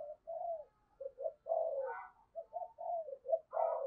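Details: Morning decoy spotted dove, in the local style called cu gáy, urging and cooing to lure wild birds: a run of rhythmic mellow coos, some rising and rougher at the end, with no other sounds.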